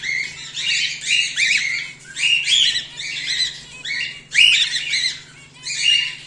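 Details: Home-bred cockatiels, whiteface emerald and exhibition grey male, squawk almost continuously in scratchy, buzzy bursts over a steady low electrical hum.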